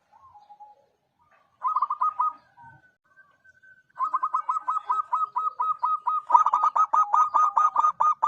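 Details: Zebra dove of a local strain (perkutut lokal): a few soft notes, then a pause, then quick bursts of clipped, bubbling coos that swell into a steady, fast repeated series toward the end.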